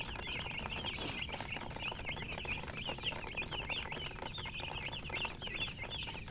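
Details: Several chicks cheeping nonstop, rapid high chirps with up-and-down pitch curves crowding each other, plus a brief hissing burst near the start and faint scratching below.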